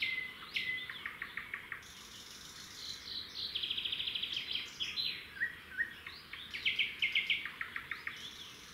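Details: Red-backed shrikes at their nest by a road in the wild: the male brings a grasshopper and the female feeds it to the chicks. High, quick chirps come in rapid repeated runs, with a buzzy stretch midway. Other bird notes overlap.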